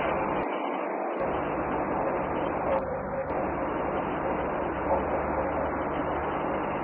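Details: Dense, steady rumble of passing vehicles and trains in an urban setting, with a brief low gap early on and faint speech, without any clear animal voice.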